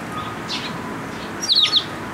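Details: Young Eurasian tree sparrows begging for food at a shrine post, 28 May 2022; a soft chirp followed by a rapid, loud, wavering burst of high notes.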